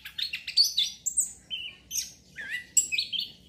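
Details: Orange-headed thrush in captivity, song played to spark breeding condition: quick bursts of mixed whistled and buzzy notes, sliding down then up, separated by short gaps, with faint low hum beneath.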